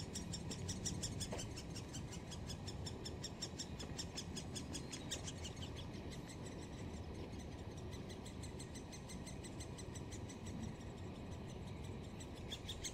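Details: Great spotted woodpecker nestlings at Solleveld on 26 May 2018, calling as the parents arrive to feed them. A fast, steady, high chatter of short ticking notes runs through the whole clip, fairly faint above low background rumble.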